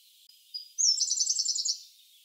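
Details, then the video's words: Siberian blue robin song, a migrant songbird of dense taiga by streams: two thin high introductory whistles, followed by a fast, even trill of about ten bright, high-pitched notes lasting about a second. "Как поёт синий соловей (Audio) How the Siberian Blue Robin sings"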